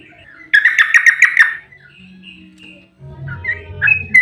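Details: Yellow-vented bulbul in long ropel style, meant to stimulate other bulbuls into singing; a one-second flurry of fast bubbling notes, then quiet with soft whistles and a low hum.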